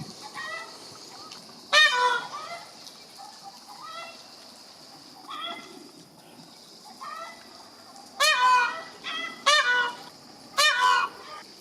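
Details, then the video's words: Peacock calling repeatedly over nearly twelve seconds, loud nasal wails spaced irregularly, the last three in a tight series, with a faint steady high-pitched hiss behind. "Peacock funny sounds"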